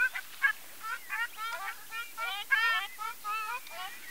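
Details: Ruddy shelduck giving a rapid series of nasal, goose-like honks, short notes tumbling over one another with some overlap, a louder rolling phrase midway, and little background noise.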